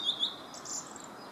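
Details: Song thrush in Herttoniemi, Helsinki, gives a brief snatch of song: two quick, sharp chirps, then a higher, thin squeaky phrase, over a soft background hiss.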